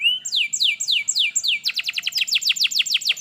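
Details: Canary song played as a tutor recording to spur a lazy canary into singing: a run of falling whistled sweeps repeated about five times, then a fast series of short sharp downward notes.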